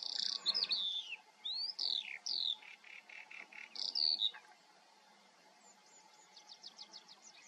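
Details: Eurasian skylark in the Eifel pouring out bright slurred whistles and buzzy notes for about four seconds, then a thin, distant series of rapid high ticks over a quiet steady hum.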